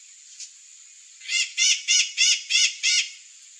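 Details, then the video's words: Curl-crested jay, known locally as gralha-do-campo or gralha-do-cerrado, giving a series of six loud, harsh, evenly spaced notes about 0.4 seconds apart after one faint opening note. "GRALHA-DO-CAMPO (CYANOCORAX CRISTATELLUS), CURL-CRESTED JAY, Gralha-do-cerrado"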